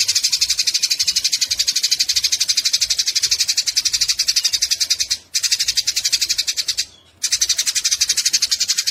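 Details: Eurasian tree sparrows in a fight, used for tutoring songbirds: busy, grating chatter of fast repeated chips, pausing briefly twice late on.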